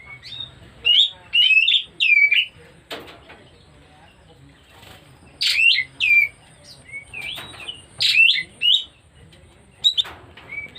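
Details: White-rumped shama in breeding condition, singing in bursts of loud, high whistled and hooked notes, several phrases separated by short pauses, with a few clicks and faint low hum behind.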